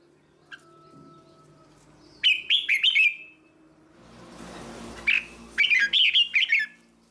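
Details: Red-whiskered bulbul tutor song used to train young birds: two bursts of rich, warbled, bubbling phrases of quick up-and-down notes, separated by a stretch of broad hissing noise.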